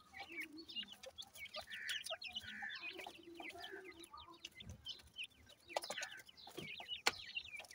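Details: A busy cluster of grey francolin (teetar) chicks gives high, quick, upward-flicking peeps from many directions, with low soft clucks and occasional knocks and rustles.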